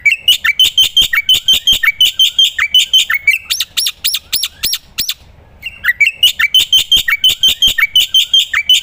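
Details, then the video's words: Black-winged myna in full active song, as a training recording for other songbirds: rapid repeated chirping phrases, clicks and high whistles, briefly pausing before the chatter resumes. "burung masteran jalak putih gacor"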